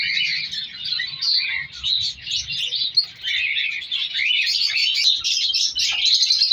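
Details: Crowded aviary of breeding color African lovebirds: continuous shrill chattering and squeaking, growing busier and louder toward the end.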